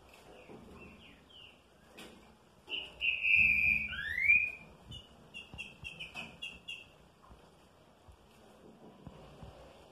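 Green-winged saltator singing loud, clear whistles that slide down and then up, followed by a quicker string of short whistled notes over faint background clicks.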